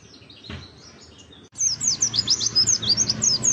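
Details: Oriental white-eye used as a lure to get birds singing in forest style and showing off learned phrases: after a quiet opening with one soft chirp, a burst of very high, thin, rapid twittering notes with quick downward slurs begins.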